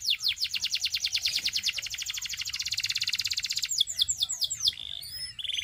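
A Belgian canary sings a long, rapid trill of high notes, then breaks into quicker varied phrases and sharp chirps.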